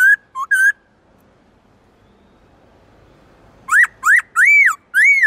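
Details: Black-throated laughingthrush singing its forest-style song, kept as a cage bird: three brief whistles, a long pause of near silence, then four ringing arched whistles in a fast run.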